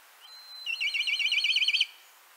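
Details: Black Kite calling in Central Russia: a steady high whistled note opens, followed by a long wavering, vibrato-like trill of quick undulating pulses for over a second, with little else audible.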